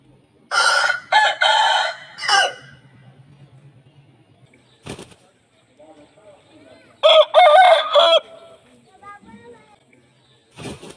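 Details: Aseel roosters crowing in slow motion: two clusters of deep, stretched, broken crow bursts separated by quiet stretches with faint low hum and scattered clicks.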